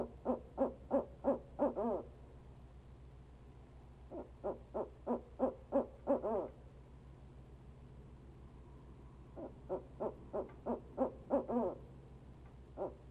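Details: Barred owl male calling persistently from the nest box at Leesville on a live camera. Three spaced runs of rapid hoots, each ending in a louder wavering note, over a steady low hum.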